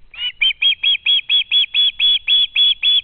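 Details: Fledged osprey young lingering around the home nest, screaming to be fed on catching sight of a parent: a steady run of about twelve piercing, high whistled notes, evenly spaced and barely pausing.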